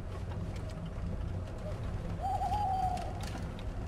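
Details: Tawny owl calling at about 5 a.m. by the drive of the Château de Lorge in Côtes d'Armor, France, 2011, calm at first light; a single quavering mid-pitched hoot over strong low background rumble.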